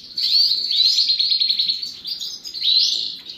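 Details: Several European goldfinches at their morning bath chatter in quick tinkling twitters, with a fast buzzy trill through the middle and a few upslurred notes at the end.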